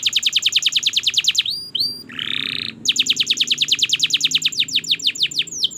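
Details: Canary training song for learning birds: fast repeated downslurred whistles, a few upswept notes, a short buzzy rattle, then the rapid whistled roll resumes.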